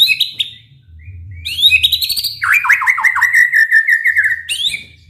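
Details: White-rumped shama in full, energetic song, used to provoke other shamas into singing: high whistled notes, then a run of rapid falling slurred trills, ending on a bright rising phrase, with a faint low hum beneath.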